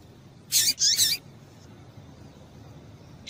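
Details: Double-collared seedeater female calls aimed at stimulating male song: a rapid harsh double chirp, high and scratchy, followed after a long pause by one more shrill note.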